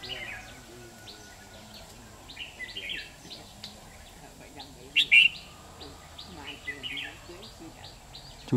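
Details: Red-whiskered bulbul during trapping with a decoy bird, 13 October 2019: short, bright, warbled chirping phrases come every second or two, one louder burst near the middle, over a quiet hum with people talking nearby.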